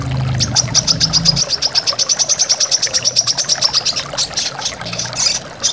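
A brown-throated sunbird gives a rapid, high, metallic trill of even notes, about six a second. It ends in sharper varied chips over a soft low hum and rushing water.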